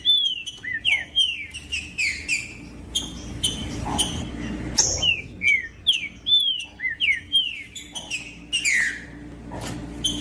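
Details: Green-winged saltator, recorded to excite other birds of its kind, gives repeated downslurred whistles mixed with brief chips. Phrases follow each other closely over a faint background hum.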